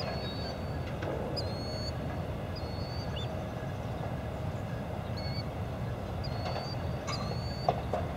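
A Killdeer gives thin, high whistled notes, some slightly rising, about every second or two, over a steady low rumble of wind or distant traffic.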